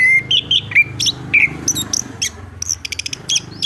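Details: Chestnut-capped thrush (anis kembang) in full, loud song: clear whistled notes near the middle of its range, sliding up and down, mixed with sharp high chips and rapid clicking bursts.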